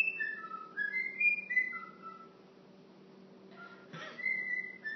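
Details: Cockatiel kept as a pet whistling La Marseillaise indoors, phone recording: quick sequence of pure whistled notes rising and falling through the tune, a brief noisy rustle midway, then more whistled phrases.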